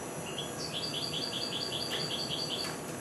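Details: Goldfinch hybrid aged four months beginning to sing, giving a regular string of short high chirps, roughly two to three per second, faint against a broad noisy background.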